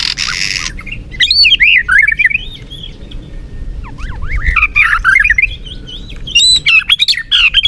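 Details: White-rumped shama (murai batu) song: a rich run of warbled, looping whistles and rapid zigzagging notes, with a hissy burst at the start and a soft background hum.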